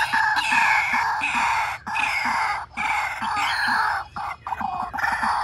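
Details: A white-breasted waterhen, used as a calling decoy for trapping, gives loud, harsh, nasal croaking calls in rapid, insistent runs, broken by brief pauses.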